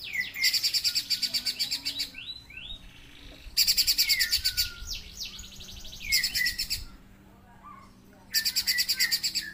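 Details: Pijantung gunung, a spiderhunter, in full song: four loud bursts of fast, rattling high notes, each about a second long, separated by quieter downslurred whistles and brief pauses.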